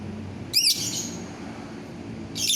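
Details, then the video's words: Lovebird, 9 December 2021: a single sharp, arching high chirp, then a second shrill note starting at the end. "suara burung lovebird"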